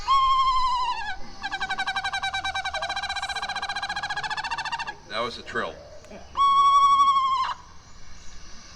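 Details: An Eastern Screech-Owl recording from allaboutbirds.org is played through a speaker to an audience at a live owl program at The Bourne Conservation Trust: a quavering whistled whinny and a long, even, rapid trill, followed by laughter and another whistled phrase.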